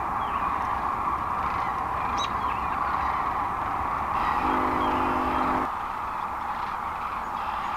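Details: Roosting sandhill cranes, thousands strong, on the North Platte River in Nebraska at dawn, March 25, 2012, departing for farm fields; massed rolling calls blend into a constant roar, a droning mechanical hum briefly joining near the end.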